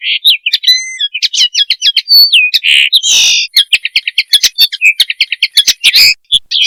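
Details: Mating song of a common linnet, recorded for training and hunting: rapid tumbling twitters and chips mixed with short rising whistles and one harsh buzzy burst near the middle.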